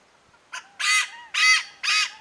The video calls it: Malabar pied Hornbill call